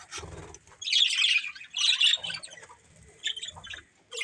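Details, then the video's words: Budgerigars from a breeding pair giving two loud scratchy chirping bursts, followed by softer scattered twitters and a final sharp chirp, low thumps faintly underneath. "Cute Budgies Chirping Sounds"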